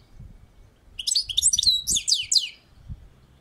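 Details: European goldfinch on a balcony delivering a quick, jumbled phrase of bright tinkling chirps and descending slurred notes, with faint low knocks underneath.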